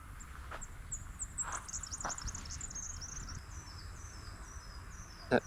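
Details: During a morning bird walk at Samford Eco-corridor near Brisbane, Australia, a Red-backed Fairywren gives a thin, very high, reeling trill lasting about three seconds, with soft clicks and a low background rumble.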